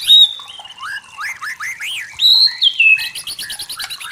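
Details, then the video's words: White-rumped shama in forest: a high sustained whistle, rising slurred notes, a bright falling whistle, then rapid high repeated ticks. "Suara Murai Batu Hutan Jernih Alami Jernih Shama bird"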